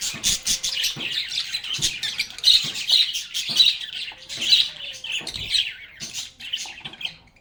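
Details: Many lovebirds chirp and chatter while playing, giving loud, shrill bursts of twittering notes that fade toward the end.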